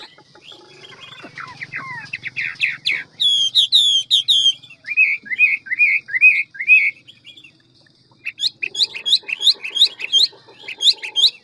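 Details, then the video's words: Hwamei of the ngũ trường type, a large fine bird with a wild forest-style voice, singing readily in many voices: varied loud whistled phrases, downslurred notes, a run of repeated sweeping whistles, then a fast series of sharp repeated notes. "Họa mi ngũ trường giọng rừng mau mỏ nhiều giọng"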